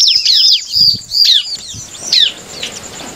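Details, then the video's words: Bar-winged prinia song used to provoke rival birds into singing: loud, high, sharp chirps sweeping downward, delivered in quick bursts with brief pauses between them. "SUARA CIBLEK Cari Lawan Paling jitu memancing ciblek lain emosi dan langsung bunyi"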